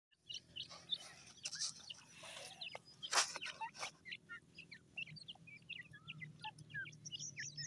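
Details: Grey francolin chicks giving many short, high, thin peeping chirps in quick irregular succession throughout, with several broad rustling bursts of handling or movement noise in the first three seconds and a low steady hum beneath.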